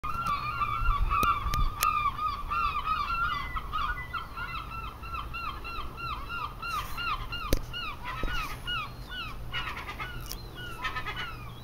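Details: Many seagulls calling together in an English seaside garden: a dense, overlapping chorus of arched, harmonic cries that rise and fall, with scattered sharp clicks and a low background rumble.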